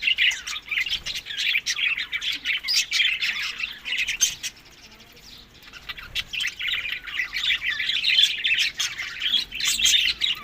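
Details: Budgerigars eating summer food in Larkana, Sindh, May to June; dense, continuous warbling chatter of overlapping scratchy chirps and squawks, with a short lull midway before the chatter resumes.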